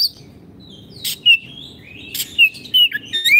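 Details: Oriental magpie-robin singing, a tutor recording for caged birds that have fallen silent: drawn-out whistles gliding downward and upward, set between loud isolated clicks, with steady low hum behind.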